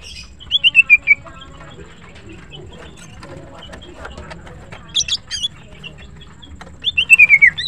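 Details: Green cucak, the greater green leafbird, singing in the morning: clear descending whistled slurs in quick series, a short high twittering burst in the middle, then another falling whistled run, with quieter gaps and low background hum.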